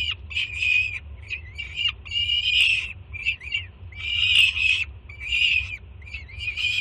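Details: Excited juvenile peregrine falcon in Jersey City screaming as its mother delivers breakfast. Loud, ragged, strained screeches come in uneven bursts, two of them especially long and harsh, separated by shorter squeals. A low background hum is present.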